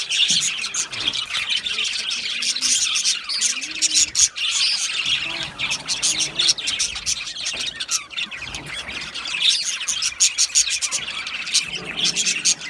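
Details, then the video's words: Australian budgies chirping and warbling continuously, many quick high chirps overlapping, some lower wavering notes early on, the chatter briefly thinning near the middle before building again. "Australian Budgies Sounds | Beautiful Budgies chirping Sounds"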